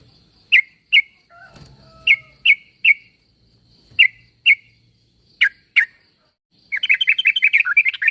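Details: Calling trucuk, the yellow-vented bulbul, meant to make other bulbuls reply: spaced single bright chirps in pairs, a soft low rustle, then a fast chattering rattle of rapid chirps at the end.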